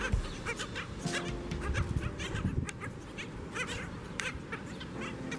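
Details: Skimmers at a breeding colony before daylight: a dense chorus of short, nasal, barking calls from many birds, overlapping and repeated rapidly, with a steady low hum underneath.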